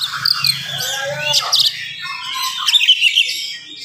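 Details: An oriental magpie-robin sings energetically in the morning in a fast, close-set style used to provoke other magpie-robins; sweeping whistles and sharp chirps tumble together, with a steady low hum underneath.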